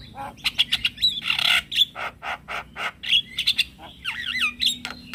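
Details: A male Javan myna calls to draw answers from other mynas and starlings, giving a string of short rasping notes and one broad harsh squawk, ending in twisting, warbled whistles.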